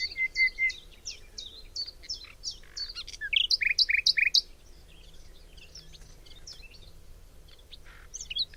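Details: Nightingale singing in springtime in a forest near Cologne, Germany: clear whistled notes, then a burst of fast repeated chipping notes around three seconds, with sharp varied phrases and pauses between them over a faint low background hum.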